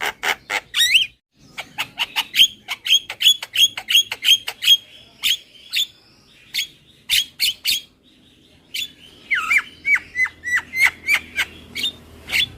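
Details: Javan myna calls recorded as super kenyih lure sound: long sequences of clipped squeaky notes with whistled slurs, two brief pauses, ending in descending whistles and sharp clicks.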